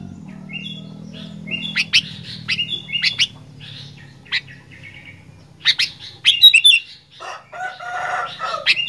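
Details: Kutilang, the sooty-headed bulbul, in lively gacor fighter song: brisk chirps and brief whistled notes in quick runs, then louder clustered squeaky and harsh notes, with a low hum fading out early on.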